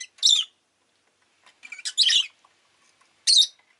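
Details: Rosy-faced lovebird kept as a pet, chirping in three harsh, high, rasping bursts separated by about a second of quiet, the middle burst longer and stuttering.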